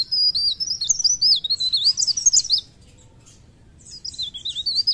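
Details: Mountain leaf warbler song, called blerengan or cikrak daun, described as gacor: rapid, high, thin warbling twitters in quick wavering phrases for two and a half seconds, a pause, then another sweeping trill.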